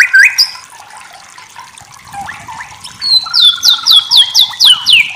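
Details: White-rumped shama tutor song: an opening upswept whistle, a quiet pause, then a series of about eight loud, downslurred whistled notes repeated evenly, four per second.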